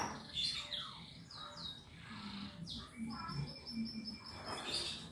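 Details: Canary song used to get other birds singing: quick downward-slurred whistles, then a brisk even series of short high notes, with faint low noise behind.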